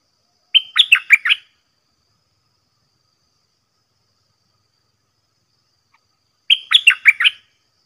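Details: Red-whiskered Bulbul kept in a cage and taken out to draw and compete with wild bulbuls, using the 'dok taeng' song style. Two bursts of rapid chirping notes are about six seconds apart, with silence between them.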